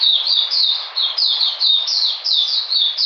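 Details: Oriental magpie-robin singing in cold rainy weather on 13 June 2020: a fast run of high, clear, down-slurred whistled notes, each sliding quickly downward, repeated in close succession with brief dips between phrases.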